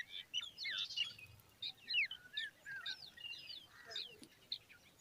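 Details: Common babbler young standing with their mother make quieter, scattered high squeaks and slurred chirps, spaced more loosely than in a full chorus.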